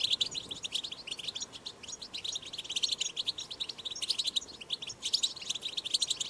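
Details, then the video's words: Batbata song of a wild European goldfinch, recorded outdoors: dense, fast, high-pitched twittering of liquid chirps and trills, with brief louder bursts near the end. "أقوى بتبتة حسون 8"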